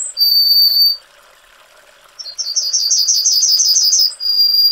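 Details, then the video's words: Yellowhammer (Emberiza citrinella) sings a fast, high, even run of about ten dry notes ending in a long drawn-out whistle, after the tail of the previous phrase's long note. "Yellowhammer Singing"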